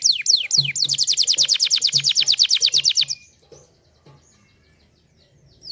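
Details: Canary giving a few descending whistles before a long, very regular rapid trill of short high notes, followed by near silence with faint chirps and low knocks.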